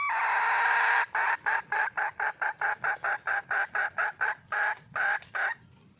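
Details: Red junglefowl hen in the wild, calling to find a male: one loud sustained harsh note, then about fourteen clipped cackling notes in quick succession that slow slightly toward the end.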